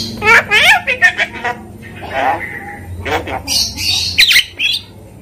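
A Javan myna imitates human speech in quick, voice-like syllables, then breaks into harsh, high squawks and chattering notes.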